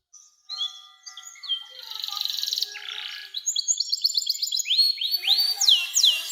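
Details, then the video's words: Canary song for tutoring young canaries: scattered thin notes build into a dense buzzy rattle, then fast series of rising whistled slurs repeated about three times a second, growing louder toward the end. "SUARA KENARI NEMBAK PANJANG‼️cocok buat pancingan kenari muda dan masteran burung"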